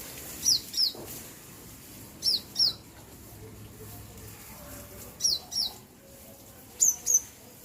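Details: Bird chirping: high, thin, downward-sliding chirps given in quick pairs, four pairs spaced a second or more apart, over a faint steady outdoor hum.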